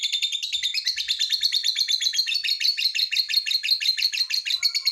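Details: Long ngekek trill from a lovebird, prompting other lovebirds to join in: an unbroken, very rapid, high chattering rattle lasting the whole five seconds, with steady pulsing beats.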